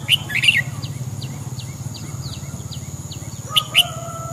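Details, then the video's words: Red-whiskered bulbul morning song, used to train birds' voices and stimulate crest-raising: loud bright chirped notes at the start and again near the end, with a run of faint repeated downslurred chirps between, over steady low hum. "Luyện giọng chào mào hót sáng kích mào hót cả ngày"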